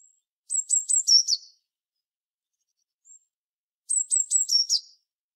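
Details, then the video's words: Two matching phrases from a Eurasian blue tit: four or five very high, sharp notes, each with a quick downward flick, ending in a short buzzy lower note; a faint brief call between phrases. "Herrerillo común (Cyanistes caeruleus) Canto."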